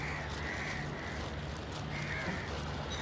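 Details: Crow giving two drawn-out, hoarse caws separated by a pause, against a continuous low hum.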